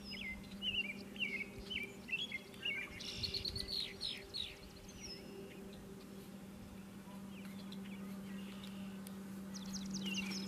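Virginia rail giving quick bursts of sharp, chattering notes, then a pause and a few more calls near the end, over a constant low mechanical hum.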